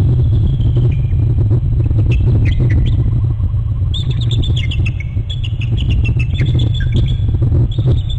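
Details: Bald eagle pair, both parents alerting at their nest on Hornby Island on January 19: runs of high, thin chittering notes, wavering and slightly descending, repeated in bursts over a constant heavy low rumble of wind or engine noise.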